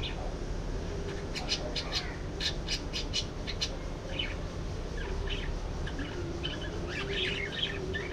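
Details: Budgies give a series of short, harsh squawks in quick bursts, clustered around the middle and again near the end, over a steady low background hum.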